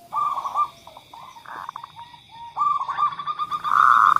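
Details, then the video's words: Lure recording of zebra doves meant to prompt lazy birds to sing: overlapping cooing phrases of rapid pulsed notes and drawn-out hums, growing louder toward the end, with a constant faint high tone behind. "suara pemancing Perkutut yang Males Bunyi"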